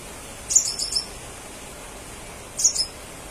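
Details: Crimson sunbird calling actively to lure others of its kind into replying: two clusters of high, thin, quick chirps about two seconds apart over a quiet hissing background.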